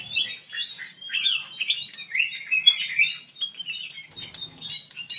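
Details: Ruby-throated bulbul in full, lively voice inside an aviary: dense, rapid chirps and short warbled phrases run almost continuously at a high pitch, overlapping throughout.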